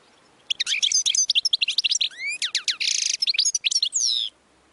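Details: Lively European goldfinch song: fast, tinkling twitters mixed with slurred rising whistles and a harsh buzzy section, delivered in one unbroken stream of about four seconds.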